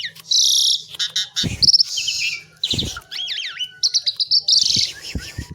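An Asian pied myna sings a rapid, varied medley of harsh, buzzy chatter and fluty, slurred whistles, broken by a few low knocks.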